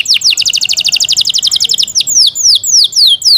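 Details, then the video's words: Caged Yorkshire canary kept as a pet singing loudly: a fast run of high descending chirps, then slower, longer downward-sweeping whistled notes. "Yorkshire canary Nice sound"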